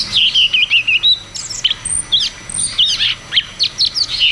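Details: Cucak cungkok in a ngeroll tembak song style, used to coax caged birds that have stopped singing. Quick whistled notes wavering around the upper-middle range, then a run of sharp high chirps in short bursts about every quarter second.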